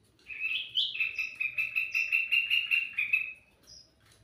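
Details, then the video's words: Sooty-headed bulbul singing vigorously, a lure recording for birds: one sustained, fast-pulsing chattering trill of about three seconds at a bright pitch, with a high note after it. "suara burung kutilang mas gacor cocok buat pancingan"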